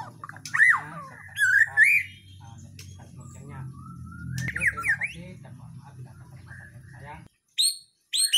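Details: White-rumped shama of the Borneo/Nias type giving a gacoran in the full gembung style: rising and falling whistled phrases and harsh chattering notes over a low background hum, which cuts out near the end before short high notes.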